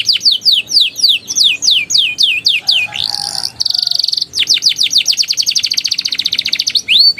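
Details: Juvenile canary singing ngeriwik and ngeroll, played to coax silent young canaries into song: rapid repeated downslurred whistles, a brief harsh rising buzz, a steady high roll, then another fast series of sweeping notes.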